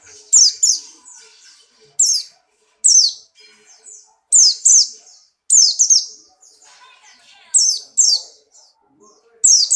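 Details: White-eye of the Buxtoni type (pleci Buxtoni) in strong breeding condition, hopping about; loud, high, sharply descending whistled chirps in quick clusters of two or three, bursts roughly every second or two, with quiet gaps between.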